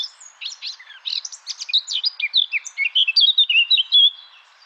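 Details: Eurasian blackcap song from a recording of almost 40 seconds: rapid, varied twittering notes building in loudness, ending in a clear, louder whistled phrase before fading.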